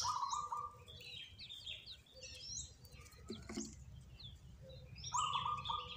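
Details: Three zebra doves, chosen as the most diligent singers, give bursts of soft, rapid, rolling coos at the start and end, with high, thin chirps from other small birds throughout.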